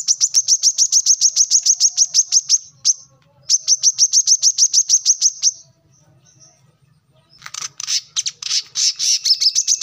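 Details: Kolibri kelapa song for teaching cage birds: two fast runs of bright, high chirps separated by a short pause, a longer silence, then a busier, twittering stretch of notes.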